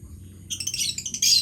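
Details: Lovebird calling: rapid, harsh, high-pitched chattering chirps in quick bursts begin after half a second, ending in a louder squawky burst; a faint low hum runs underneath.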